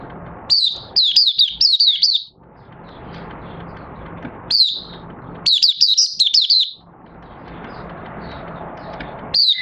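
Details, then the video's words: Oriental white-eye kept in a cage, starting to sing on 25 August 2022 after three months of training with an open cage cover and night sleep: rapid bursts of five or six high, down-slurred chirps separated by pauses, over constant low hum. "Mata Puteh Raja Buka Sing"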